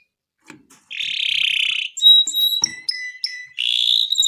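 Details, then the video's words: Canary singing a gacor song for mastering: a sustained buzzy roll, then pure high whistles and lower held notes, finishing with another dense buzzing roll. "THIS LONG GACOR Canary is suitable for baiting, mastering"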